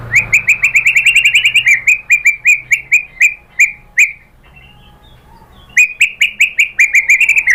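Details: White-rumped shama song played as a lure to provoke singing: fast repeated whistled notes on a steady pitch, about four per second, a pause of over a second, then the same rapid series resumes.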